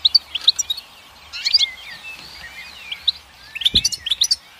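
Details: Goldfinch song made of bouncy twittering bursts and slurred warbles, with a quiet pause midway before a fresh run of sharp repeated chips.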